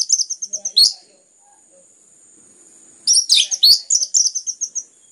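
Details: Orange-headed thrush in lively song used to make other birds sing: a rapid string of about ten short high notes, a slurred downward call, a pause, then a loud burst of tangled notes and another quick descending series.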